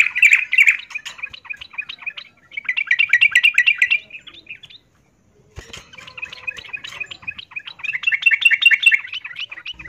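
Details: Miyik calling by a female yellow-vented bulbul in breeding condition, aimed at a male: loud bursts of fast rattling chirps, a brief silence near the middle, then a longer rapid chatter that swells again.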